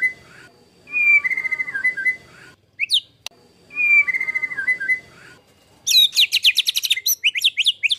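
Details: Master recording of a white-rumped shama, harsh 'tembakan kasar' phrases for training competition birds: a descending warbled whistle phrase given twice with sharp upsweeps between, then a burst of fast, high, harsh notes.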